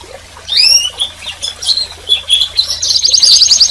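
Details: Canary song in short fragments: upward-slurred whistles and scattered chirps, building into a rapid, high buzzy trill at the end.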